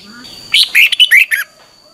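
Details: Red-whiskered bulbul giving a brief morning training phrase for coaching other birds: a tight run of five loud whistled notes with bending, rolling pitch, over a faint steady background tone.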